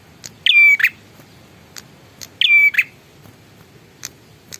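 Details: Bar-winged prinia with two loud calls about two seconds apart, each one a rattling onset, a sustained level whistle and a buzzy ending, with soft ticks in between.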